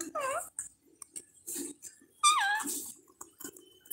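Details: Pet parrot indoors giving two short harsh calls that rise then fall in a wavering sweep, separated by about two seconds, with soft room noises and faint human sounds between them.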